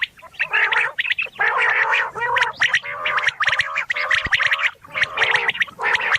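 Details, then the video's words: Quail gives harsh, gargling, rasping bursts in quick succession, about one burst a second, with a rough, crowded texture suggesting several birds; stereo recording. "Quail Stereo Sound"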